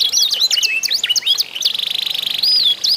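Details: Canaries of the isian type in a song contest aimed at prompting other canaries to sing; looping slurred notes give way to a fast buzzy rattle, then a level whistled tone and a final upslur.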